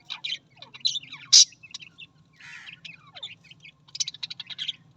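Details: Busy warbling chatter from Australian parrots: rapid chirps, sliding whistles and a sharp squeaky burst, with a low continuous hum underneath.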